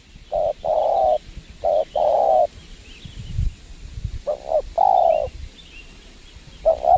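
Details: At a windy site where a lure bird is used, a spotted dove coos: short paired notes each followed by a sustained mellow coo, three phrases with a gap of wind and rustling in the middle, faint small-bird chirps behind.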